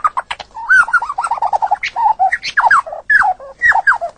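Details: White-rumped shama singing, a long training recording used to build the mental strength of champion songbirds: a varied, fast run of mid-pitched whistled and warbled phrases, with notes jumping up and down and few pauses.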